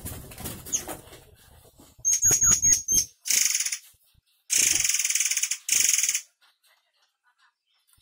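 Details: White-rumped shama of the air mancur type giving a sharp, harsh song: a thin high whistle, then loud buzzy rattling bursts of about a second each, separated by short pauses, ending in silence.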